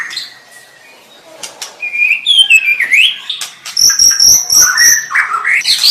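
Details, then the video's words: White-rumped shama: soft opening, then bright rising whistles and a long high steady whistle over rapid clicking notes, ending in slurred downward phrases. "SUARA MURAI BATU"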